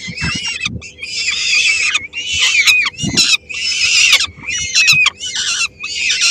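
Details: Three-week-old peregrine falcon chicks and their female at a Helmond nest on 13 May 2016, the young snatching the small meal she brings. Near-continuous hoarse, buzzy screaming in repeated bursts, with short gaps and faint thumps.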